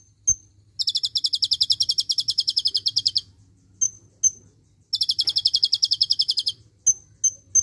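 Purple-throated sunbird: two long, very high, fast buzzy trills of about two and a half seconds each, separated by thin, sharp single whistled notes.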